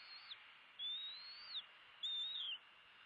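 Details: Bald eagle eaglets at their nest during feeding on 16 February 2016, one eaglet biting its sibling's tail: thin high whistled notes, one sliding up then dropping sharply, another level then falling, over a steady hiss.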